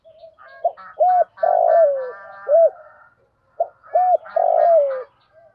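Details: Spotted dove cooing phrases used to train a decoy bird. Two series of low rounded coos, each with a long falling note, over softer background cooing from other doves.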